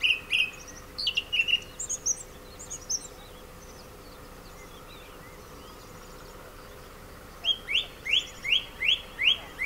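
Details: Male song thrush singing in orange groves of the Ribera Baixa, Valencia, Spain: a few varied whistled and squeaky phrases, a pause of several seconds, then one clear note repeated six times in steady rhythm.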